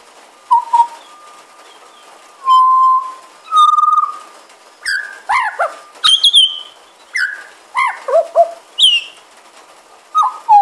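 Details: A pied butcherbird sitting on a porch in the rain, known to mimic magpies, koels, babblers and dogs, sings a varied run of clear fluting whistles, steady, swooping and warbling, with mimicked sounds in short phrases every second or so.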